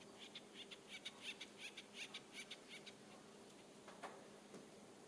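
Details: A Bullock's oriole of a male and female pair at a grape jelly feeder, about 2:30 PM on April 26, 2019, in the San Diego County mountains, gives a dry rattling chatter of about a dozen quick notes, then harsher notes, over faint hum.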